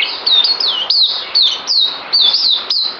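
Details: White-eye (puteh) kept as a songbird, recorded 9 December 2018, delivers fast, high, tinny warbles: downward-sweeping whistled notes strung together with short gaps, bright and unbroken for three seconds.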